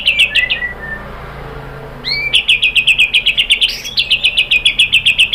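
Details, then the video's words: White-rumped shama song used as a lure to stimulate other shamas to answer: a short burst of high notes, a pause, then a fast, steady run of sharp high chirps, about three or four per second. "KICAUAN MURAI BATU merangsang BUNYI jadi NYAUT GACOR"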